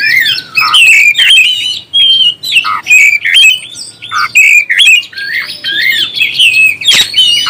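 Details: Oriental magpie-robin song meant to provoke other birds: rapid whistled slurs and squawky notes mixed together, phrases pausing briefly, with one sharp click near the end.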